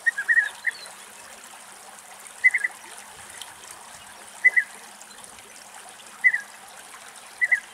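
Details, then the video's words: European bee-eater (Merops apiaster) in Greek countryside giving short, rolling 'prruip' calls, singly or in pairs about every two seconds, over a steady wash of trickling water. "Μελισσοφάγος Φωνές - European Bee-eater calls"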